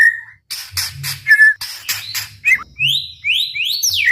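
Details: White-rumped shama song used to provoke other shamas: harsh broadband chack notes at the start, then clear rising whistled notes sweeping upward at the end.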